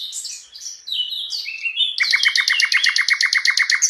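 Mugimaki flycatcher song: high, varied warbling phrases, then a fast run of bright repeated notes, about six per second, in a steady rhythm.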